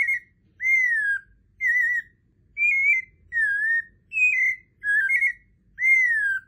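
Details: White-necked Thrush (Sabiá-coleira) from Brazil, a song noted among the country's most beautiful: eight clear, whistled phrases near two kilohertz, each slurred and falling, about once a second, with a quiet background.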